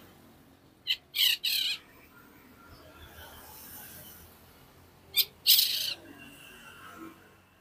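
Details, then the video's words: Long-tailed shrike giving loud, harsh, rasping broadband bursts in two tight groups of three, the second group about four seconds after the first, with quiet background between. "CENDET GACOR SPEED RAPAT"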